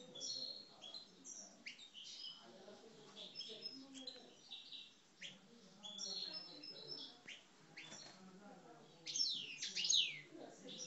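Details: Algerian parva European goldfinches kept in cages, singing aggressively: quick, irregular high twitters and chips through most of the stretch, ending in loud fast downward-sliding whistled notes.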